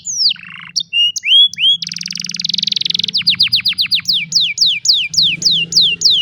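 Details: Cellphone recording of a canary singing: falling whistles, a long rattling trill, then a steady series of sharply descending notes about four per second, with a low background hum.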